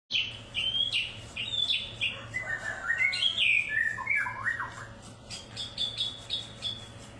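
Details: White-rumped shama singing in Medan, a varied series of clear whistled phrases, some dropping and some rising, with short repeated notes near the end; steady low hum underneath.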